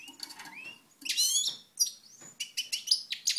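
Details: European goldfinch in Moknine, Tunisia, 2012: soft rising whistles and twitters, then a loud buzzy burst and a string of sharp chirping notes.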